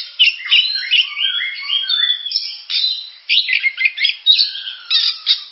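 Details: Oriental magpie-robin (kacer) singing a rich, varied run of whistled and warbled phrases, some sliding up and down, with harsh scratchy notes mixed in and brief pauses between bursts.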